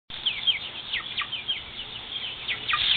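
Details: Scared chicks on a farm peeping: loud, high, downward-sliding cheeps, irregular and overlapping, several birds calling at once.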